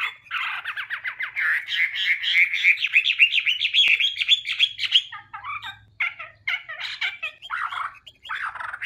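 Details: Chinese hwamei singing: a rapid run of rich, slurred whistled notes in fast rising and falling trills for about five seconds, then shorter varied chirped phrases broken by brief pauses, over a faint low hum.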